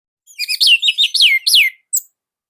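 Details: Orange-headed thrush from Indonesia, a training recording with a tight, loud song: a quick burst of clear, sharply descending whistled notes run close together, then a brief high note after a short pause.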